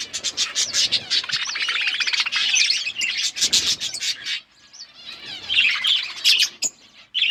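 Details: Pet budgies of various colours chirping, fast rasping chatter with clear high tweets, fading to quieter scattered chirps near the end.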